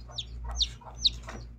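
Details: A brood of chicks beside their mother hen giving several high, falling peeps mixed with a few muffled lower notes, over a faint background rumble.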